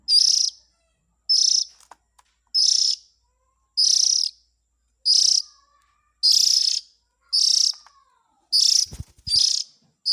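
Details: Lure recording of Oriental magpie-robin chick calls meant to draw in the parents: a steady series of ten harsh buzzy bursts across ten seconds, about one per second, with faint low thumps near the end.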